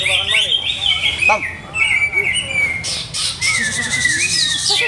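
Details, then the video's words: Greater green leafbird, a caged bird whose owner keeps adjusting its care routine, sings long sliding whistles interspersed with short buzzy bursts and quick descending notes. "CUCAK HIJAU"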